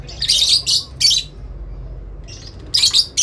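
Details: Adult lovebird answering another: three quick raspy shrieks, a short pause with a faint thin note, then two more grating bursts.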